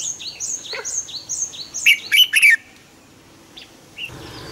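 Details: Decoy red-whiskered bulbul in a cage, morning double-note wild-style song used to provoke other bulbuls: a rapid tumbling warbled phrase following a run of high, repeated downslurred whistles from another bird.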